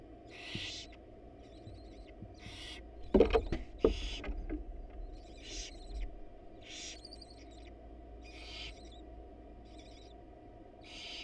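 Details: Wild barn owl nest box as the male drops off a rat with the female away: loud thumps and scuffling near the start, then raspy hisses and thin chittering continue at irregular intervals.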